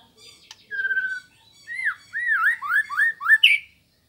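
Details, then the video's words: White-rumped shama singing a sustained flat whistle followed by a run of rich, swooping whistled notes, each arching up and down, ending on a higher sharp note; material for training birds and provoking rivals in Indonesia. "Suara Burung Murai Batu Sambo Bahan Pancingan Lawan Materi Masteran Gacor"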